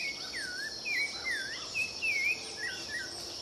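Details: Rufous-bellied thrush singing: short, clear whistled phrases that slur up and down, with brief pauses between them. A steady high insect drone runs underneath throughout.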